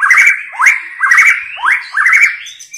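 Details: White-rumped shama female 'tạch líu' voice, used to stir males into fighting: five rising, rolling whistled phrases, each sweeping upward and ending in a short trill, repeated roughly every 0.6 seconds.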